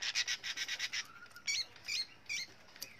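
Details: Chinese hwamei singing, kept for training other hwameis to sing well in many voices; a run of rapid buzzy notes, then short separated twisting whistled phrases with gaps between.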